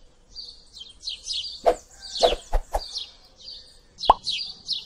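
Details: House sparrows, invasive flock birds, chirping in a group: short bright notes in clusters, with several loud, sharp plopping knocks in between.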